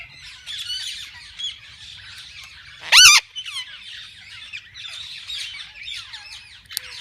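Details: Inside a walk-in parrot-zoo aviary with different kinds of parakeets: soft background twittering, broken at the three-second mark by one loud, harsh screech, then the chatter resumes.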